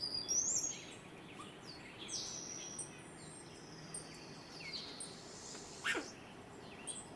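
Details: Hummingbird singing in a tree in the Sierra foothills of California, USA, a courtship song: a thin, squeaky high burst at the start, then scattered faint high ticks and chips over steady background hiss.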